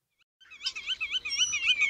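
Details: A Common Starling, taken from a long song recording of its imitations of other birds, pours out a rapid, unbroken warble of high, wavering whistled notes, rising and falling for about a second and a half after a brief silence.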